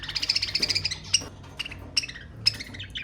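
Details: Budgerigar song for encouraging mating starts with a quick rattling series of harmonic chirps, then spaced sharp squeaks and short whistles follow.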